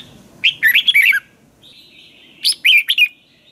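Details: Red-whiskered bulbul in Thailand giving a training song: two lively phrases of sharp, rolling whistled notes about two seconds apart, each lasting under a second, with a thin sustained tone between them.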